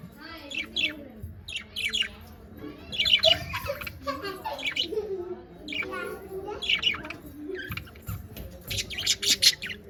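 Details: Pet budgerigars, several birds, chattering busily with quick sharp chirps and squeaky warbled notes in bursts, overlapping one another, with soft low murmuring beneath.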